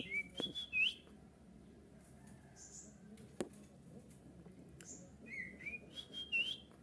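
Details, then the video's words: Kutilang emas bulbul, a lure song for drawing replies from other bulbuls. Wavering whistled phrases open the passage, and a descending and rising sequence of whistles returns near the end. Faint thin squeaks and a click sound between them. "suara kutilang emas ini membuat kutilang kita auto nyaut cocok untuk pancing"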